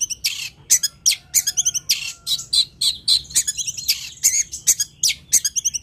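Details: Long-tailed shrike (cendet, toed) in full, vigorous song: rapid scratchy high notes packed closely, mixed with thin short whistles and rasping bursts, continuing without pause.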